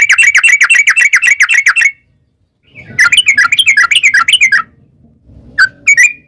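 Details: Yellow-vented bulbul giving a long rapid 'ropel' song, used to lure other birds into answering: fast runs of short chattering notes in bursts, separated by brief silences.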